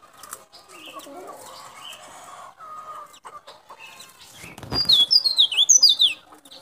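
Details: Sulawesi white-breasted white-eye from Baubau, Buton, good for luring wild white-eyes: soft chirps and background clutter, a dull thump, then a brisk run of high, descending twittered notes near the end.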